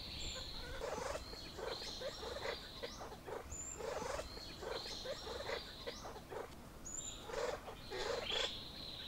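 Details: Male grey peacock-pheasant displaying his plumage to a female at a hide in Kaeng Krachan National Park, Thailand: harsh, rasping bursts in quick uneven series, with thin high whistles of other birds and a steady insect hum behind.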